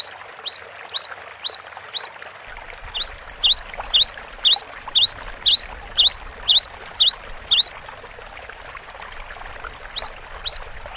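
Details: Cinereous tit singing vigorously on a long training recording: bright high two-note whistles repeated briskly about twice a second, overlapping phrases crowding together in the middle, then quieter, with faint low background rumble.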